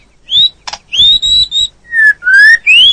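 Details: White-rumped shama, caged, singing a training song meant for a stressed bird that no longer sings: clear sustained whistles, some slurred upward, separated by short pauses, with one brief harsh burst.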